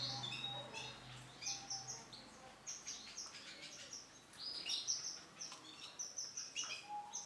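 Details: Male canary with orange and black plumage singing varied high chirps, trills and short whistles in quick bursts, over a noisy background.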